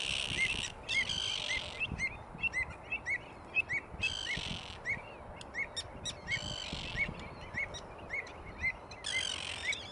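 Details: Greater flamingos at South Atanasovsko Lake in July 2020, recorded during monthly monitoring of the birds. Many short chirping calls overlap throughout, broken by several loud broadband gusts of rushing noise.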